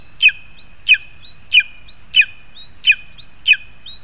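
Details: Calling by lesser spotted eagles as the parents feed their young, 2 August 2020: seven high yelping notes, each rising then dropping abruptly, repeated at a steady pace of about one every two-thirds of a second.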